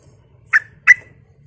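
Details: Two quick, bright chirping notes from a sooty-headed bulbul used as a lure to provoke rival bulbuls, spaced a third of a second apart over a soft low background hum.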